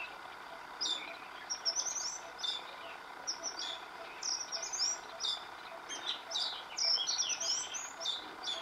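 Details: An Oriental magpie-robin, recorded over several days and singing a new tune each day, sings a varied run of high, sweet whistles and quick chirpy notes, phrases tumbling one after another over a faint background hum.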